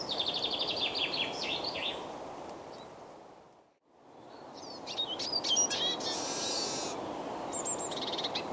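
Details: Eurasian siskin song from a male singing from a perch in March–April: fast, high twittering with quick trills and a drawn-out buzzy wheeze, over a steady rushing background noise.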